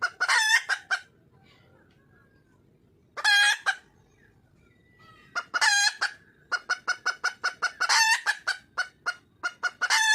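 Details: Junglefowl hen in the wild, calling for a mate: bursts of grating squawks mixed with rapid clipped clucks, a long quiet pause, then a steadier stream of clucks broken by loud squawks.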